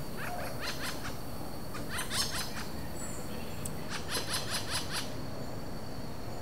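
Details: Wild pair of Robust Woodpeckers interacting at Vargem Grande Paulista, São Paulo, Brazil, in April 2023, no playback used, Zoom H4n: two brief series of sharp, rattling notes, the second about six quick notes, against faint hiss.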